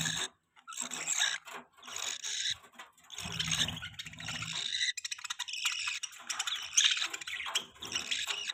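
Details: Pet budgerigars, described as happy, chatter in dense, raspy, high-pitched warbling with quick chirps, a short gap early on and a low hum in the background.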